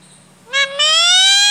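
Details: Indian ringneck parakeet kept as a pet, calling while its owner chats to it in Hindi: a brief upward-sliding note, a short gap, then a long, bright, harmonic tone that climbs gently and continues to the end.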